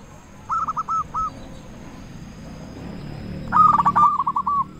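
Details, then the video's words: Big-voiced local zebra dove singing to trigger song in other zebra doves; a short string of staccato coos, a pause with low background rumble, then a louder rapid rolling burst of coos. "Perkutut lokal gacor suara besar cocok untuk pancingan burung perkutut supaya bunyi"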